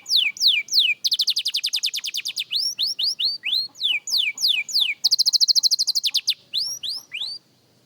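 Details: Young canary practising its song: rapid series of rising and falling whistled sweeps alternating with fast buzzy rattling trills, about three notes per second in places, clear and loud with no other sounds.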